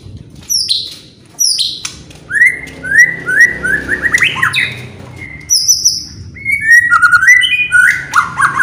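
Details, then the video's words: White-rumped shama song used to provoke other birds: high thin notes, then a run of falling and rising whistled phrases, with rapid twittering toward the end. "DENGAR SEBENTAR SAJA..BIKIN MURAI APAPUN ,,,//,,LANGSUNG,,IKUTAN EMOSI,,BONGKAR MATERI"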